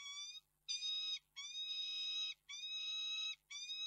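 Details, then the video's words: Peregrine falcon wailing at Reda, Poland, 11 March 2022, in loud, continuous harmonic cries of about a second each, repeated almost back to back with only short gaps between them. "sokół wędrowny - Zawodząca Koksinka"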